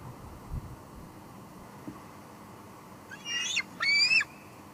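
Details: A juvenile bald eagle at its nest at Two Harbors, picked up by a live nest camera in July 2022 while expecting a food delivery. Two quick, high, squealing, chattering calls come near the end, over a steady soft background hiss.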